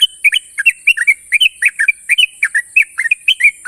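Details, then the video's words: Loud, sharp ropel from a national-champion sooty-headed bulbul: dense bursts of bright whistled chirps, some doubled, tumbling almost without pause under a steady high hiss. "burung trucukan juara nasional ropel panjang dan tajam"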